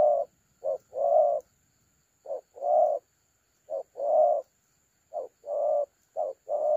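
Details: Spotted dove, thổ calam calling style, decoy bird recorded 30 October 2022, uttering phrases of a short coo followed by a longer drawn coo, repeated about every one and a half seconds, over a faint high hum.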